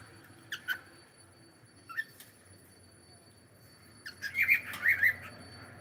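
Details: Pet cockatiel calling during a live stream: short sharp chirps at about half a second and two seconds, then a denser burst of squawky, warbling calls toward the end; a faint steady high-pitched tone runs underneath throughout.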